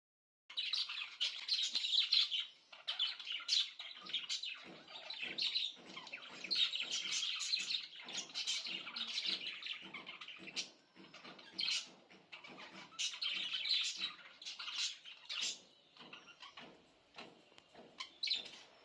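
Budgerigars chatter with a busy stream of high, scratchy chirps and warbles.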